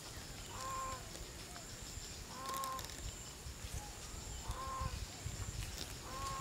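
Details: A green peafowl gives loud, nasal honking calls about every two seconds over a steady low background rumble, at a Phayao, Thailand peafowl site during the November–March counting season, late afternoon (15:00–17:00), about 70 birds present.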